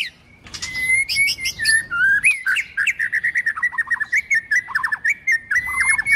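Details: White-rumped shama song used for training, with female singing to stimulate males: a long, sustained whistle broken by rapid bouncing notes and quick descending flicks.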